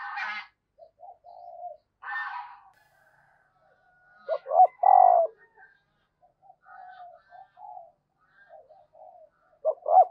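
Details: Female dove calling to stimulate males: soft, low cooing notes in short irregular phrases, with a louder burst of rising and falling coos near the middle, interrupted by two brief harsher broadband sounds early on.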